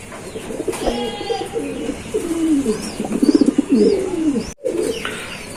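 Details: Giribaz pigeons coo in low, throaty, rolling phrases that swell and fall, several overlapping, with faint chirps from other birds above.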